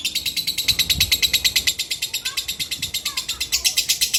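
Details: Female lovebird at sunset giving a fast, steady run of shrill, clipped chirps, roughly three a second, with faint low background sounds and a few soft sliding squeaks underneath.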